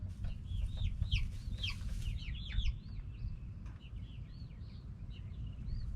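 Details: Backyard hens and roosters produce a busy burst of high, looping peeps that thins out into scattered single notes, set over a steady low background rumble.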